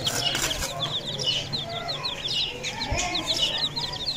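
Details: Aseel chicks peeping: a rapid run of short, high, thin chirps, several per second and overlapping as if from more than one chick, over a low steady hum and faint background voices.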